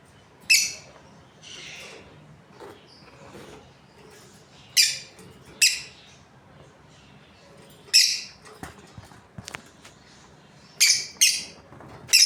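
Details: Breeding pair of Australian lovebirds chirping: scattered sharp, high, buzzy chirps in short bursts, some in quick doubles, separated by quiet stretches with faint low background hum.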